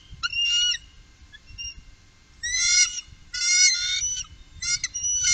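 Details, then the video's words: Three bald eagles on the Upper Mississippi in 2018 begin with a brief squeal and faint whistles, then break into three loud bursts of stuttering, high chatter, with low rumble in the background. "Trio Bald Eagle"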